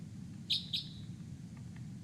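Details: Crossbill giving hard, metallic, far-carrying 'glip' flight calls, often delivered from on high, two close together then another after a pause, over a low background rumble.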